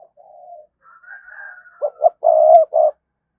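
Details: Spotted dove lure cooing meant to provoke a reply: a soft low opening coo and faint higher drawn note, then two short clipped coos and a long, loud sustained coo with a final short note.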